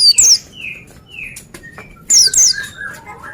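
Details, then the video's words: High-pitched double notes sliding sharply downward from an Oriental white-eye, two such bursts about two seconds apart, while softer falling whistles and short tones from other birds fill the gaps. "Dengar Suara Burung Pleci Ini"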